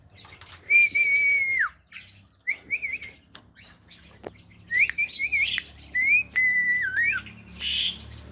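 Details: A talking Javan myna, said to speak very clearly, mimics human speech in short, clear, wavering high phrases broken by brief pauses, with some harsh squawky bursts mixed in.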